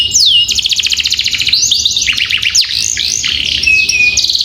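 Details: Canary tutor song for young birds: a very fast buzzy roll lasting about a second, then a series of high swooping whistled notes and short trills.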